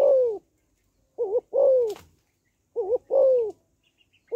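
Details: Female spotted dove calling to rouse males: crisp mellow phrases, a double wavering note followed by a long falling coo, repeated roughly every one and a half seconds, with one brief click.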